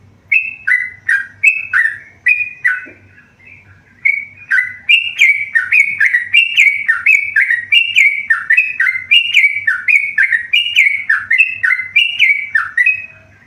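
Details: Tame yellow-vented bulbul singing bursts of whistled notes that alternate between higher and lower pitches in a bouncy pattern, a brief pause after the first phrase, then a long sustained run.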